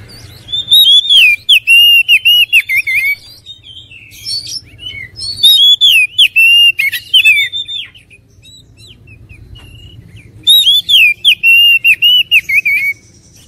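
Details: Oriental magpie-robin singing in three loud bursts of rich, varied whistles, each a string of slurred up-and-down notes mixed with sharp high chips, separated by brief quiet pauses.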